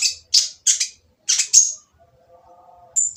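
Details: Olive-backed sunbird giving a rough, noisy song to prompt others to sing: five harsh, scratchy high bursts, a short pause, then two thin piercing notes.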